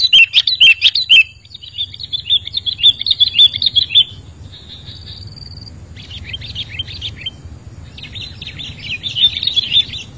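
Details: Sooty-headed bulbul song used as a lure: loud chirped notes at the start, followed by rapid, softer twittering phrases in several separate bursts over a low background hum.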